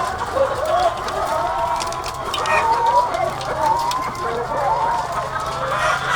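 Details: Thousands of egg-laying hens on a farm, a softer, steady murmur of clucking with faint wavering calls, over a low mechanical hum.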